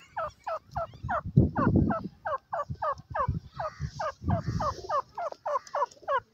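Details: Francolin calling in a field among pigeons: a steady run of short, downward-sliding notes, about three each second, over low rumbling and cooing sounds beneath.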